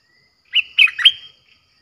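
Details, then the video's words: Streak-eared bulbul singing fiercely in a recording played to attract wild birds. A single phrase of three clear, slurred, gurgling notes lasts about three quarters of a second, in quiet surroundings. "เสียงนกดอกแตงEp.98เสียงดุดัน เปิดต่อนกป่าตัวดุๆ"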